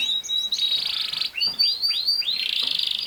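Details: Canary song opening with a steady whistled note and buzzy roll, followed by four loud sweeping downslurred notes, each about half a second apart.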